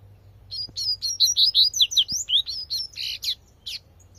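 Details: Tui tui song of a double-collared seedeater in nature, a fast, even string of around a dozen high sliding chirps, thinning into a few scattered buzzy notes at the end.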